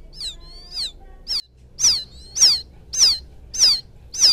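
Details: Rice-field quail chick calling for its mother, a lure sound: eight loud, shrill, down-slurred peeps, becoming regular at about one every half second.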